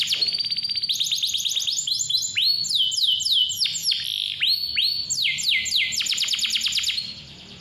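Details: Clear canary song meant to encourage young or quiet canaries to sing: quick rattling trill at the start, then repeated looping down-slurred whistles and high buzzy rolls, ending abruptly before a short quiet tail.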